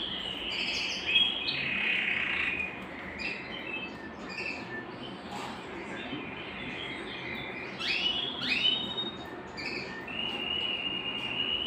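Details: Belgian canary song played to stimulate singing and bring females into breeding condition: high warbled phrases, rapid rolled trills and steady whistled notes near the top of the range, shifting pattern, over a constant broad hiss.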